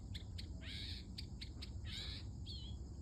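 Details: Early-morning mockingbird, a happy female singing while hidden before showing herself. Sharp clicky notes alternate with longer buzzy, rising-and-falling phrases, followed by a thin whistled slur, all over a low background rumble.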